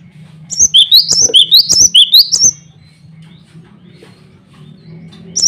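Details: Male cinereous tit (glatik batu) singing to challenge rivals and call females: a burst of about nine high, sharp rising chirped notes over roughly two seconds, followed by quiet with a low steady hum.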